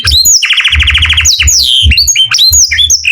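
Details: Canary singing in the morning: rapid rolled trill of even pulses, then whistled upward and downward sweeps and short chirps, with low dull thumps underneath.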